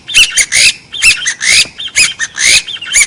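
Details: Partridge (gà so) call, noise-filtered, used to lure forest birds for hunting: fast, rough chattering notes with upward-sliding squeals, around two per second, loud and continuous throughout.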